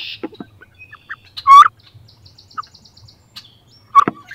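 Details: Female wood ducks contest a nest box for egg laying; two rising squeals, the first loud and the second shorter, over a quiet background of faint chirps and low rumble.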